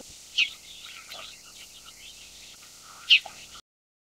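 Bull-headed Shrike giving two brief, sharp, high notes about three seconds apart, with fainter chatter between them over a steady background hiss.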